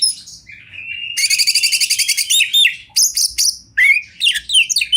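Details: Oriental magpie-robin champion song from the wild, river and forest setting: a thin rising whistle, then a dense run of rapid buzzy repeated notes, followed by sharp varied whistled phrases and quick chips.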